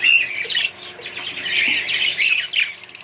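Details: Australian budgerigars in a colony with other birds give a brief run of bright warbled chirps and squeaky squawks, one clear whistled note opening the burst.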